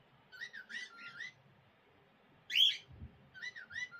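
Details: A pet cockatiel chatters in quick whistled phrases that swoop up and down, with one louder, sharper note, apparently mimicking talk it learned from its owner's former voice.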